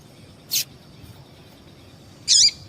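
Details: Female yellow-bellied seedeater call meant to excite males; a brief high tick, then after a pause a longer buzzy note that sweeps downward, over steady low hiss.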